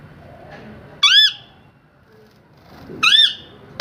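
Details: Two loud, arched, nasal squawks from a parrot, about two seconds apart, with a third starting at the end. Near silence between them.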